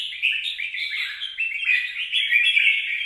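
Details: Red-whiskered bulbul recorded 26 April 2022, delivering an unbroken rush of bubbly, slightly buzzy warbling notes held in a steady mid-high register throughout.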